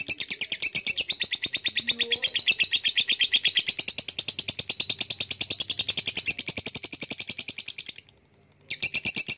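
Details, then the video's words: A lovebird delivers a long ngekek trill, very fast high rattling pulses running for eight seconds, a short silence, then the trill restarts. "Lovebrid ngekek panjang"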